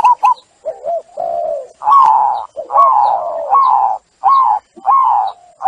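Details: Zebra dove cooing meant as a lure for stressed doves that stopped singing; a steady run of warbling, slightly rising and falling coo phrases, about a dozen notes with brief gaps.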